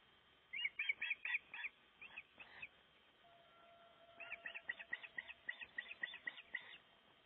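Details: Breeding osprey at its nest during nest building in Gribskov, Denmark, recorded by a nest livestream camera: two bursts of short, sharp whistled notes repeated rapidly, with a faint steady tone in the middle pause.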